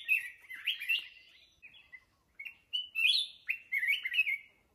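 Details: Good-voiced red-whiskered bulbul, an old wild-caught bird in Binh Tan, Ho Chi Minh City, gives clear fluty warbles in separate phrases, each a quick up-and-down whistle with pauses between, and faint high ticks behind.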